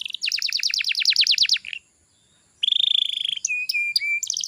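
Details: Canary song meant as a lure for young canaries: a rapid series of about a dozen downward-sweeping notes, a pause, then an even buzzy trill and sharp high chips.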